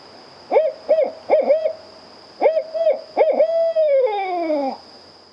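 An owl gives a series of mellow, quavering hoots, a few short notes, a pause, then more ending in a long sliding hoot; a faint steady tone runs underneath.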